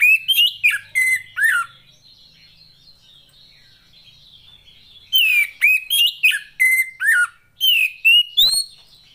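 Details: Female Oriental magpie-robin singing, a call used to coax lazy males into song: two bursts of clear, varied whistled phrases, sliding up and down, separated by about three seconds of quiet, then a sharp click.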